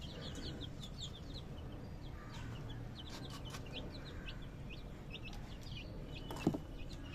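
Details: High, thin peeps from a group of baby chicks, short falling notes repeated irregularly, fainter in the middle, with one sharp knock near the end over low background noise.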